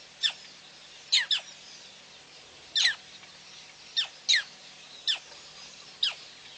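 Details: A female black crake, recorded 9/6/11 at PP, gives sharp, high, downward-slurred squeaks, singly or in quick pairs, at irregular intervals of about a second, over a faint steady hiss.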